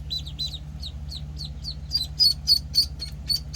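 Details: One-week-old penciled call ducklings peep in high, short notes about three or four per second, starting softer and growing louder and sharper toward the end, over a faint constant hum.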